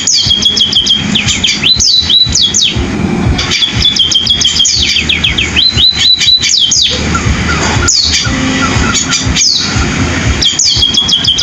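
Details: Pipit sparrow singing in a canary-like style: rapid high chirps and sweeping downslurred whistles, some phrases held on a steady high note, delivered in bursts of two to three seconds with brief pauses, over a low background rumble.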